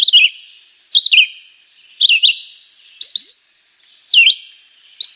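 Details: Chivi vireo (juruviara), a 14 cm green migratory passerine, singing its simple, repetitive, melodious song: short high warbled phrases, each slightly different, some with quick up-and-down slurs, repeated about once per second with clean silence between.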